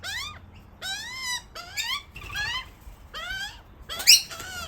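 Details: Juvenile Australian magpie, one of two babies brought over by its parents searching for food, demanding to be fed; harsh rising squawks with stacked harmonics, about five calls spaced roughly every second.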